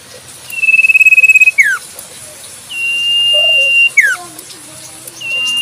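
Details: Wild Common Iora (sirtu cipoh) recorded in nature: a long, steady high whistle with a rapid trill-like wavering start, ending in a sharp downward slur, then a second drawn-out whistle and slur.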